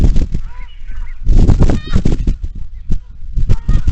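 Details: Morning marsh chorus at Iroquois National Wildlife Refuge from a Bald Eagle camera, many geese and ducks present: a few short, wavering honks stand out above a loud, low, blustery rumble that swells midway.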